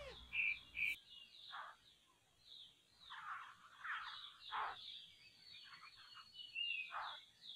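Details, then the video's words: A laughingthrush heard during an afternoon bird-trapping outing gives harsh, chattering bursts mixed with short high whistled notes, loose and irregular, with a sharp click near the start. "set traps for poksay birds"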